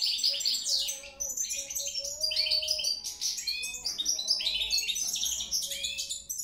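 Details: Continuous twittering from a European goldfinch, high liquid notes and scratchy buzzes strung together in lively bursts with short dips between phrases, over a faint low whine and a drawn-out tone.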